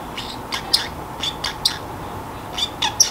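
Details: Pet Pacific parrotlet, kept free-roaming in a quiet room, muttering to itself as it gets sleepy: scattered short, sharp chirps and squeaky notes with gaps between, some bright and high, over faint room hiss.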